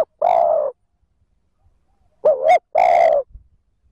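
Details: Spotted dove cooing to lure wild birds: a low, full coo note, then a short double-humped note and a longer resonant coo after a pause, all loud and close with a quiet background.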